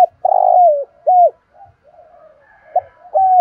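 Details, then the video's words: A spotted dove with a thổ sấm style voice gives a long, loud, deep coo that slides downward, then a shorter clipped coo, soft murmuring notes, and two more firm coos. "chim cu gáy ra nhiều bài"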